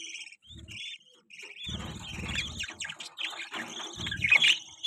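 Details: Budgerigar chicks, newborn, giving thin wavering chirps that build into a dense, continuous squeaky chatter, with low bumping sounds underneath.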